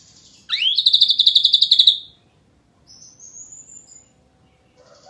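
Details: Ashy drongo delivering a tight, rapid 'nembak' trill. A quick upward sweep opens a high buzzing run of pulsed notes lasting about a second and a half, followed by a thin, faint, rising whistle.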